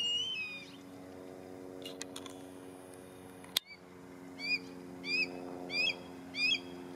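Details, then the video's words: Red-tailed hawk in the Conejo Open Space, Newbury Park, calling out to friends and/or family: a harsh descending cry at the start, then four short raspy, harmonic-rich notes repeated roughly every two-thirds of a second, with camera-like clicks in between over a steady low hum. "Red-Tailed Hawk Sounds in Newbury Park"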